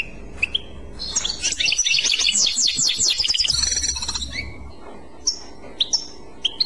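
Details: European goldfinch singing in the Clochette style: a few sharp high chips, then a dense, rapid burst of bright twittering, buzzy trills lasting about three seconds, followed by scattered single whistled notes.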